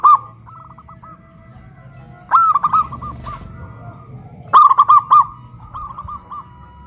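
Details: Zebra doves kept in hanging cages and raised on a pole in Kuningan, West Java, one with a big voice and one with a crystal voice; loud phrases of quick, clipped coos alternate with softer trailing coo series.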